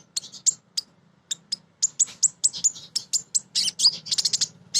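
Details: Kolibri ninja hen, a female Van Hasselt's sunbird singing as a lure to provoke other birds. Staccato high-pitched ticking chirps, first spaced, then speeding into a rapid twittering run.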